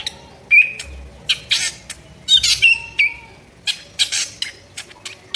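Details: Drongo singing actively with harsh notes as training material for songbirds: loud grating squawks interspersed with short whistled slurs, delivered in irregular bursts.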